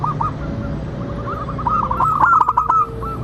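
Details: Local zebra dove cooing, used as a lure to get other zebra doves to sing and answer: a rhythmic series of short mellow coos, repeated quickly, against a steady low hum with a few sharp clicks.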